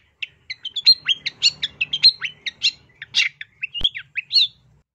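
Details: Long-tailed shrike giving a lively run of short whistled and chirped notes, nearly a note every quarter second, varied in pitch, with one sharp click near the end and a soft background hum.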